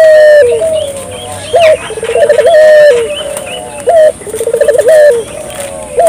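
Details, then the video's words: Persistently calling spotted dove gives repeated low coos, each a short rising note, a rapid stuttering run and a long level coo that sags at the end, roughly twice in six seconds, with faint higher chirping behind. "suara burung puter gacor,merangsang burung puter lokal ikut gacor"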